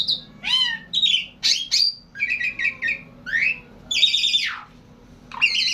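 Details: Long continuous song of a Javan pied starling, mixing harsh squawks, rapid stuttered harmonic notes, steep falling and rising whistled slides and buzzy bursts in a busy, varied stream, with a faint low hum underneath.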